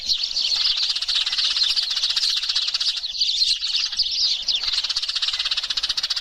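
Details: Lure sound of a noisy Eurasian tree sparrow flock: a constant, busy mass of high-pitched overlapping chirps and twitters lasting throughout, with no other clear sounds.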